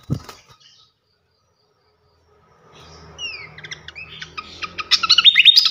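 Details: Flycatcher song for training champion cage birds: near silence at first, then paired falling whistles and a quickening series of bright chirps building to dense twittering at the close.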